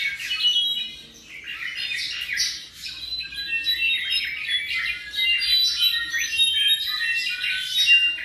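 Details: About seven months old, this tropical mockingbird delivers a dense, lively medley of rapid chirps, harsh squawky notes and quick slurred whistles with little pause between phrases.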